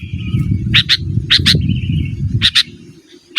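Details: Sooty-headed bulbul song for calling a rival: clipped double chirps at intervals between a couple of flat, drawn-out notes, with a constant deep rumbling underneath.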